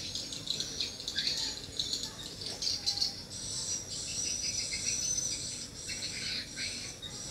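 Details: Swiftlets answering at a mini swiftlet house give a constant wash of thin, high chirps and buzzy twitters, steady and overlapping for the whole stretch.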